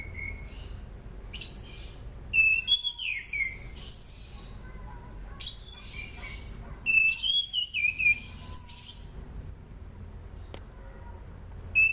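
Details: Sunda pied fantail song, used as a lure for training birds: bursts of loud slurred whistles with pauses between, about every two to three seconds. Thin high notes and a quiet hum fill the background.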